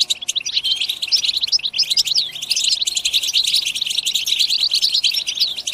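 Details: A chorus of European goldfinches in full twittering, countless quick metallic chirps and liquid trills overlapping into a steady, bright, high-pitched wash that never stops across the whole stretch.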